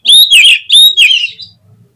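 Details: Oriental magpie-robin singing a lure song meant to provoke other magpie-robins into singing: four loud, clear whistled phrases around a bright mid-high pitch, each slurred and slightly descending, separated by short gaps, then silence.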